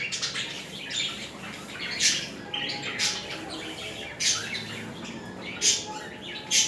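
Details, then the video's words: Mating budgerigars during courtship; busy high chattering warble punctuated by several loud harsh squawk bursts spaced roughly a second apart. "تزاوج طيور الحب البادجي و حركات رومنسية بين الطائرين"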